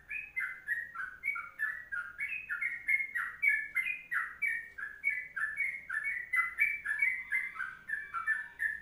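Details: Sooty-headed bulbul pouring out the long 'kongslet' song, a steady stream of bubbling, warbled whistles with sharp up-and-down slurs, kept going for nearly nine seconds.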